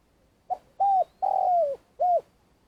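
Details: Vietnamese trapping decoy, a spotted dove, calling at length: four low hollow notes within about two seconds. A clipped opener and an even coo come first, then a long sliding-down croo and a rounded final coo, with a faint high whine behind.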